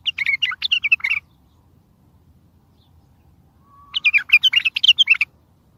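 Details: Bulbul song used for trapping, meant to make other and distant bulbuls answer: two bursts of rich, varied warbled and chirpy phrases, each about a second long, separated by silence.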